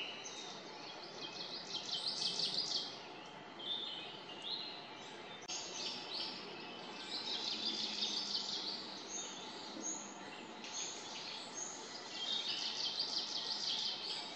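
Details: Kamchatka leaf warbler (Phylloscopus examinans) song, forest, 29 May 2022, bird unseen and identity uncertain: short, high, buzzy trilled phrases every few seconds over steady background hiss and rustle.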